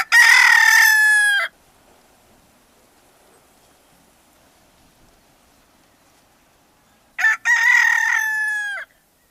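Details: Wild male red junglefowl, ancestor of the domestic chicken, crowing within its native range: two hoarse crows, each about one and a half seconds, harsh and choked off at the end, separated by a long silent gap.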